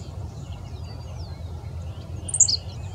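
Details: Henslow's sparrow at Bath Nature Preserve, Summit County, Ohio, June 3, 2017. One brief, high, sharp two-part hiccup of song near the end, over a steady low rumble of background noise.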